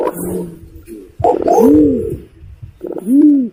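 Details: Imperial pigeon calls played as a lure for hunting from a hide. Deep, arched, hooting coos, one near the middle and another near the end, with a softer low hum and faint murmuring before them.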